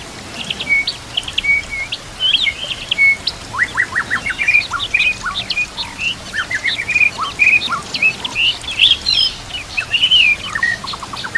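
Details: Dense training-master recording of white-rumped shama song: a busy mix of high chirps, short rising slurs and rapid chip series, continuous for over ten seconds, with steady natural background noise.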